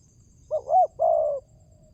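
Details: Single spotted dove phrase, played to stimulate doves to call: a quick wavering double note rising then falling, followed by a longer husky coo that fades gently, with quiet low background noise.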